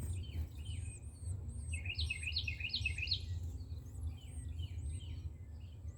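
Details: Baby Carolina wrens at feeding time in a nest on an outdoor shelf give a short burst of fast, busy chirps midway, while faint high thin notes repeat around them over a low background rumble.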